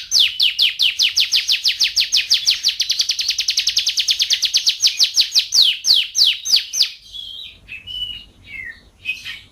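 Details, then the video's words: Champion canary from a collection of song variations and styles: a loud rapid trill that speeds up, then slows into separate notes and finishes with varied whistled phrases. "SUARA KENARI GACOR BERBAGAI VARIASI DAN GAYA"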